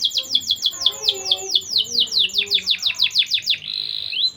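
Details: Lively singing canary, played as a lure to raise breeding drive in young canaries. Its song is a fast run of downward-slurred whistled notes, about two per second, then a quick trill that ends in a sustained buzzy note.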